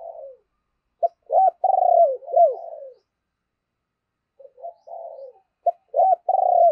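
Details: Spotted dove used as a lure bird, singing two low cooing phrases. Each opens with clipped notes and ends in a long, buzzy, slightly falling coo, with a pause of over a second between phrases.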